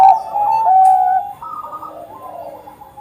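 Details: Bangkok-type zebra dove, a frequent singer used to trigger other doves. A drawn-out, mellow whistled coo fades into a quieter flurry of faint, rapid notes.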